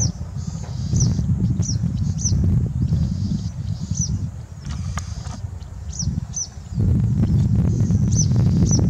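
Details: Citrine wagtail giving thin, high, buzzy calls, repeated irregularly about once a second, over a heavy low rumble of wind or distant traffic.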